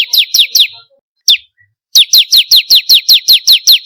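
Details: Bar-winged prinia lure song for encouraging captive birds to sing: a short series of high, falling chips, a single isolated note after a brief silence, then a long, even run of rapid descending notes.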